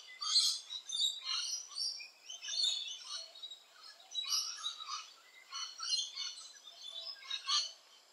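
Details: Rainbow lorikeets active around nesting holes, giving harsh, noisy screeching calls in short bursts about every second, high and broadband, with several birds calling over one another.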